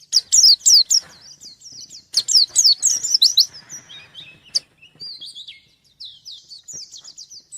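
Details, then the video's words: White-eye seeking a rival, pouring out quick high chirps in two loud bursts, then trailing into softer, thin warbled phrases. "Burung pleci gacor nyari lawan"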